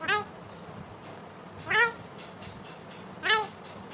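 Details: Pet Indian ringneck parakeet, described as talking: three loud, harmonic, downward-bending calls about 1.5 seconds apart over a quiet indoor hiss.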